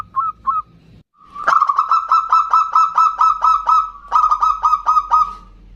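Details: Zebra dove of local stock in lively ndudut-variation song, meant to call and agitate a rival. After two short opening notes and a pause, a long run of fast, evenly pitched cooing notes follows, briefly broken before resuming.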